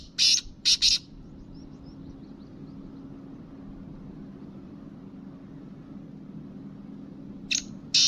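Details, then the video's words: Loud, rasping triple call from a black francolin of the Kabotra kind, followed by a quiet stretch and two more grating notes at the end, against a low steady hum. "Kala Teetar Ki Awaz"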